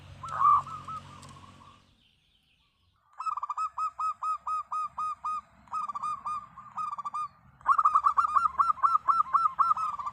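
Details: Local zebra dove (perkutut lokal) in energetic song: a brief coo, a pause, then rapid staccato cooing notes in quick runs of about eight, ending in a louder, faster burst.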